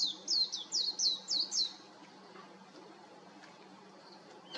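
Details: Warbling white-eye on an electric wire gives five quick, high, down-slurred chirps in its first second and a half, then falls silent, leaving only a soft background hush.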